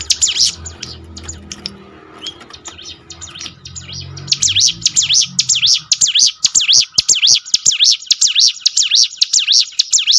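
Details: Bar-winged prinia lure song: a muffled low rumble at the start, then a long, fast, regular series of shrill zigzag chirps, close to two per second, for the rest of the recording.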